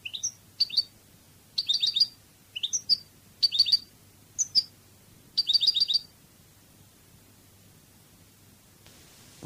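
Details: Spanish European goldfinch in the Cádiz style, from a training CD: short upslurred whistles alternate with brief, bright, rattling bursts of repeated notes for six seconds, then silence.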